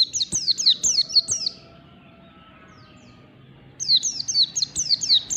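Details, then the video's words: Morning song of a forest white-eye: quick high slurred whistles, a silence of about two seconds holding faint drawn-out tones, then another rapid run of bright descending notes. "PLECI NGALAS DI PAGI HARI"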